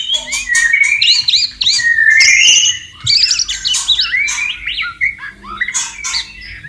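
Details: Wild white-rumped shama near flowing water pours out a dense, varied song of whistles, clicks and sliding notes, broken by brief pauses and then resuming with rapid chattering phrases.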